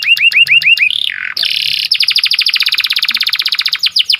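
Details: Lively canary song at morning: looping upslurred notes, a short slurred whistle, then a long rapid rolling trill of repeated notes that speeds up and carries on to the end.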